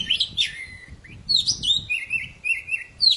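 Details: Very chatty poci bird in song, played to get silent birds singing again: bright whistles slurring downward, then a run of short warbled notes held at one pitch, ending on a sharp high whistle.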